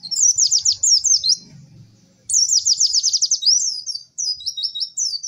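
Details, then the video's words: White-eye song, 'cek cek werr' style: fast high chattering trills, a brief pause, then a longer buzzy rolling phrase and clipped whistled notes. "MASTERAN PLECI TERBARU PALING AMPUH CEK CEK WERR....."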